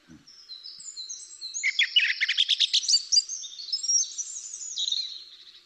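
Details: A song thrush sings one bright, high phrase: thin whistles, then a fast rattling run of repeated notes, then ringing whistled flourishes. The phrase is called classic, as the species tends to repeat phrases. No other sounds.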